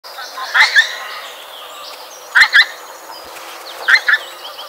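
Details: A pink-footed goose flying suddenly close over a hide at Kirriemuir gives three high, double-noted 'wink-wink' calls about every one and a half seconds, over a steady murmur of many other geese calling.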